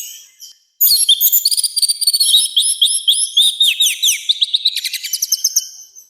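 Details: Loud, rough song of an orange-headed thrush for training other birds: after a short silence a long unbroken stream of quick, varied whistles and buzzy trills that slowly fades toward the end.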